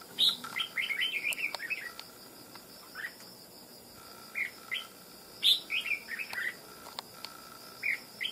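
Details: Wild red-whiskered bulbul caught for fighting delivers loud, clear, bell-like warbled phrases, each a quick cluster of slurred notes, repeated roughly every one to two seconds with short pauses between.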